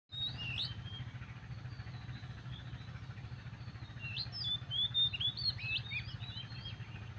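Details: A magpie robin sings in the morning. Clear whistled notes slur up and down in varied, rapid phrases. The singing grows busier toward the end over a steady low engine-like rumble.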